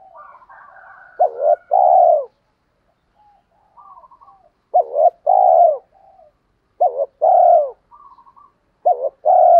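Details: Provoking coo from a spotted dove to draw wild doves into calling: four deep phrases roughly every two seconds, each a quick quavering note then a long, mellow, slightly falling coo, with faint quieter coos between.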